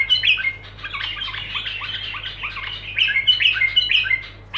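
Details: Bulbul singing in a continuous, unbroken stream of busy chattering and squeaky notes with short whistled accents, rising in bursts near the start and again in the last two seconds, over a faint low hum.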